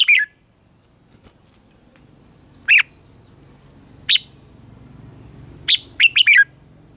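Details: A red-whiskered bulbul sings a mature, wild-style training song for use as a lure or tutor bird: short, bright, warbled phrases about every one and a half seconds, ending in a quick run of three notes; otherwise quiet.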